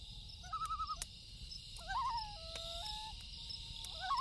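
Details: Loon calling at night by a lake: a quick wavering tremolo, then long steady wailing tones, and another tremolo at the end, over a crackling campfire with popping clicks and a constant high insect hum.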